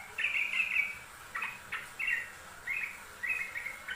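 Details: Yellow-vented bulbul in a master recording for training songbirds: short bubbly, chattering phrases, each under half a second, come in bursts separated by brief pauses, over a faint hiss.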